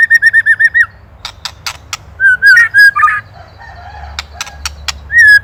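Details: White-rumped shama, Indonesia, ketrekan master recording for training cage songbirds: a rapid trill of identical chirps, scattered loud clicks, brief warbled phrases and a closing whistle, over a low droning hum.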